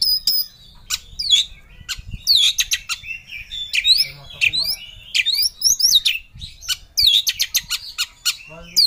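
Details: Oriental magpie-robin in an agitated, highly worked-up state singing while seeking a rival, a fast choppy run of sharp clicks, scratchy notes and short rising whistles with quick gaps between them.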